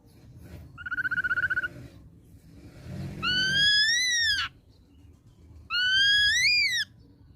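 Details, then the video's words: Young wild-caught ashy drongo: a short trilled whistle, then two loud, harmonic-rich whistled phrases that rise and bend, separated by pauses. "KICAU GACOR BAWAAN MUDA HUTAN SRIGUNTING ABU ABU"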